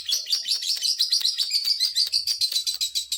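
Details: Caged lovebird singing to provoke other lovebirds into excitement: rapid series of high, sharp chirps repeated about seven times a second, steady and unbroken, with faint low thumps beneath.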